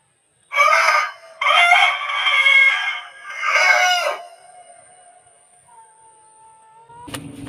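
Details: An Aseel rooster, recorded close-up in slow motion, crows loudly in three long, hoarse, harmonic bursts, followed by a faint tone and a click.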